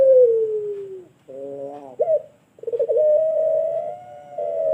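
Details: Long call of a pelung turtle dove from Sragen, Indonesia, used to train other birds: a falling coo, a brief buzzy break with an upward flick, then a long steady drawn-out note.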